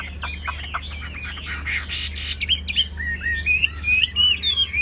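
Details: Chinese hwamei, a caged songbird with a fig-leaf tail, giving a run of quick descending notes and harsh bursts, then clear looping whistled phrases rising and falling; steady low hum in the background.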